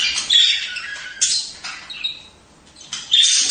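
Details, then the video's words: Budgerigar chatter used to stimulate mating: a few sharp scratchy squawks with a thin whistled note in the middle, spaced by quiet gaps. "أصوات تحفيز طيور البادجي عن التزاوج"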